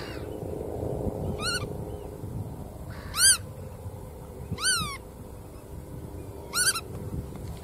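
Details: Four sharp, upslurred nasal notes from a black-tailed godwit, coming at irregular gaps over low background rumble.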